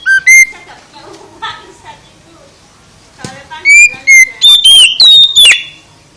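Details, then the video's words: Oriental magpie-robin song for waking up a sluggish bird: a brief whistle, a quiet gap with soft chatter, then a fast burst of loud whistles, slurred notes and harsh rasping calls. "Kicau KACER VOLUME SUPER ++ menggugah KACER LELET jadi GACOR"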